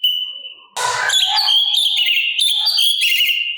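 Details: Master recording of a sooty-capped babbler with kasaran filler: one steady whistle, a brief rough burst, then fast jumbled chirping and whistled twitters.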